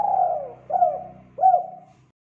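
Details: Spotted dove song used to train young birds: a long falling coo followed by two shorter hooked coos, over a steady low electrical hum.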